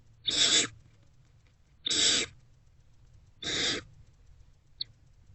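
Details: Nest-box barn owlet eating a rodent, hungry, just after 1 pm on 29 February 2024. Three loud, drawn-out hissing screeches about one and a half seconds apart, then a tiny click.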